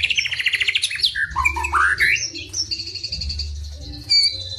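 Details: White-rumped shama (murai batu) singing a fast, dense mix of phrases: rapid chattering trill, then rising slurred whistles and high sustained whistled notes, varied and continuous, with a low hum underneath.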